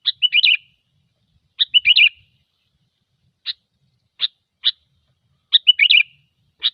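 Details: Sooty-headed bulbul sounds used as a lure: bubbly, slightly descending phrases of several quick notes repeated roughly every 1.5 to 4 seconds, with single sharp chirps between phrases in a quiet setting.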